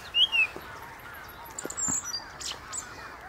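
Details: Song thrush singing from the top of a tree near the Inn River: a loud, clear note given twice in quick succession, each dipping slightly, then softer high twitters and clicks.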